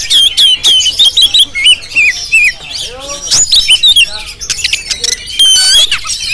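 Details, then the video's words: Oriental magpie-robin (kacer) of the Jampang type, recorded on a GoPro, singing sharp whistled notes, some rising, some falling, in quick bursts of about three per second, with brief murmuring voices in the middle. "Penampilan Kacer JAMPANG yang Tampil Menggoda"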